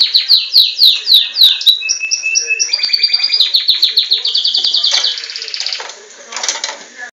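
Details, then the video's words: Belgian canary singing in captivity: quick falling notes, a few pure whistled tones, then a dense rolling trill that fades into softer scratchy sounds. "O Canto do Canário Belga"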